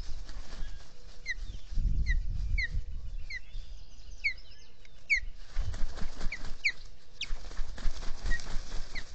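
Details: Ospreys at their nest in the Finger Lakes region, US, on an early April 2022 morning, filmed by a solar nest camera. Brief down-slurred whistled chirps come in loose groups over steady wind rumble and a few knocks.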